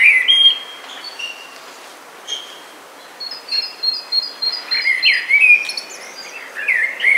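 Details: Melodious blackbird song: a short opening phrase, a pause, then a string of looping, fluty warbles in the second half. Quick high chirps from another bird are mixed in.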